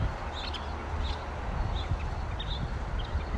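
Scissor-tailed Flycatcher giving short, sharp, high notes about every two-thirds of a second over a steady low rumble of wind or distant traffic.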